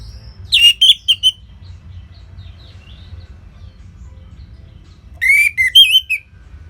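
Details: Caged orange-headed thrush from northern Bali singing two short bursts of warbled whistles with quick chirps, separated by several seconds of near silence.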